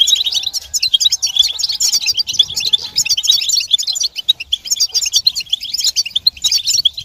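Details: Group twittering of European goldfinches, mating calls meant to end a male's silence and get him singing; busy, high, buzzy-edged chirps pour out in dense waves with brief lulls.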